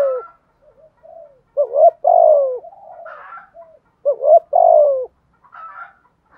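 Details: Cooing spotted dove, a recording meant to rouse decoy birds. Two clear low phrases: a clipped double note, then a long, slightly descending coo. Softer coos and faint higher bird chatter fill the gaps.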